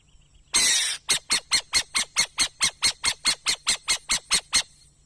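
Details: Owl giving one long harsh, hissing screech, then a fast run of about sixteen short raspy, breathy notes, roughly four each second, evenly spaced, with a quiet background.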